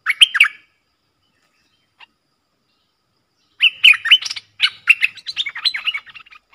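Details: Two streak-eared bulbuls in a fierce song duel, recorded 30 October 2021, trade quick, bubbling chirpy phrases: a short burst, a pause, then a dense run of tumbling notes for nearly three seconds.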